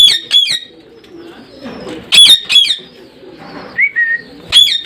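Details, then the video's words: Parrot giving harsh, sharp squawks in quick pairs and triplets, with a short whistled note near the end and soft chatter in the gaps. "Sounds of parrot"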